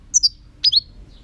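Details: European goldfinch giving a brief phrase of two high sharp chirps, a pause, then two quick slurred twittering notes dropping in pitch, clear against quiet background.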